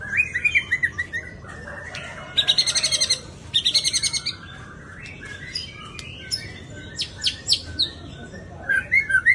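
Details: Kept white-rumped shama, taken to a bird-keepers' base in Jakarta, sings a varied, high-pitched song: sliding whistles, rapid ringing trills and dry buzzy bursts with short pauses between phrases.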